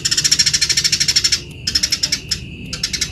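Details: Eurasian tree sparrow in lively, chattering voice, kept as a master recording for training other birds: a dense run of rapid, high, buzzy chirps at about three per second for over a second, then shorter bursts after brief pauses.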